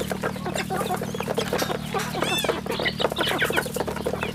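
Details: Rural farm chicks keep up a quick, high twittering of short falling peeps, with a bright rising-and-falling call midway and a faint steady hum.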